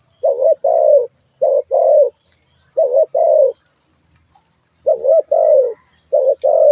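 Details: Spotted dove calling: low, hollow cooing phrases in pairs and triplets, each with a short break before a longer falling coo. Phrases repeat after pauses of about a second, with a faint steady high hiss behind.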